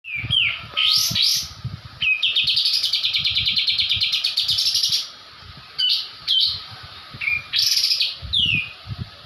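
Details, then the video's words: White-eye (kapas tembak) from Java, singing in the rattling 'ngebrem' style used for training songbirds: sharp whistled slurs, then a long buzzy rapid trill of about three seconds, followed by more short whistles and chips. "Masteran burung kapas tembak full ngebrem"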